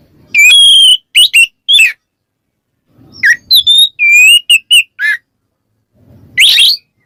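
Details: Ngeplong song of the Oriental magpie-robin (Kacer) calling a rival: long steady whistles mixed with short sharp notes, given in three separate bursts with a rough harsh note at the end.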